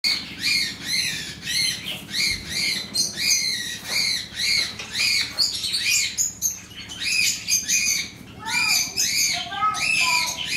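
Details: Zebra finch (Taeniopygia guttata) song: rapid nasal beeps and buzzy chirps repeated in quick succession.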